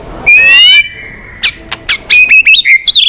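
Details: White-rumped shama giving long song to incite fighting: a harsh buzzy note with a steady whistle, then quick sharp clicks and rising whistled chirps.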